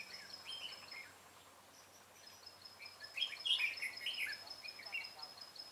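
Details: Decoy red-whiskered bulbul in a fighting-song bout, recorded while trapping on 25 April 2017: quick chirpy, slurred notes that grow denser and louder after three seconds, with a thin steady high tone behind them.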